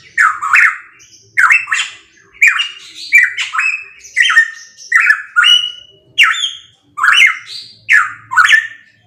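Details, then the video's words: Pitohui delivering loud song meant for training caged songbirds: clipped, squawky whistled phrases with rough overtones, about ten in a row at near one-second spacing, each phrase a quick slurred burst; background otherwise quiet. "Masteran Burung Pitohui MP3 _Suara Kenceng"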